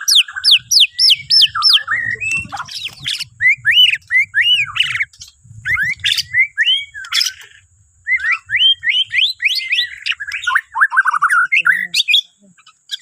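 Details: Singing white-rumped shama of Borneo, a morning song to prompt other birds: bursts of high rapid notes and sweeping upslurred whistles separated by short pauses, with low rumbling beneath.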